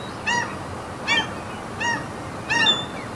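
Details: Gulls calling over a Norwegian fjord among mountains, four harsh, nasal, slightly downslurred calls spaced about a second apart, with a soft outdoor background hiss.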